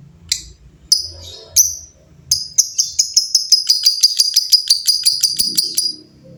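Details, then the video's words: Lovebirds answering one another. A few sharp separate chirps lead into a fast, rattling run of clipped high notes, about three per second, that keeps going to the end. Faint low background hum. "LOVEBIRD GACOR GAYA MEWAH SEMUA LOVEBIRD JADI BUNYI RIBUT BERSAUTAN"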